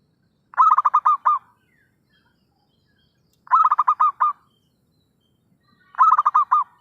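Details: Vigorous zebra dove call played as a lure for trapping birds. Three evenly spaced bursts of quick, stuttering coos, each about a second long with six or seven beats, separated by quiet gaps.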